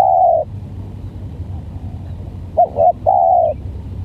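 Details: A tekukur, or spotted dove, with a strange voice calls during a contest with a stuttering decoy. A drawn-out coo fades out, then after a pause come two short choppy notes and a sustained mellow coo.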